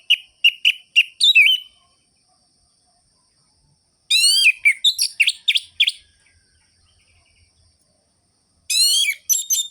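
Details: Orange-headed thrush singing in the sharp, rhythmic ngerol-ngeplong style, used as a lure to rouse sluggish thrushes: a quick run of short high chirps, then a cascade of rising and falling whistled notes, and a final bright burst.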